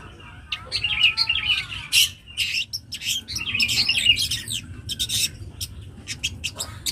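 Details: Song of a young long-tailed shrike: dense scratchy chatter and bright chirps in long runs, breaking into clipped, rapid notes toward the end.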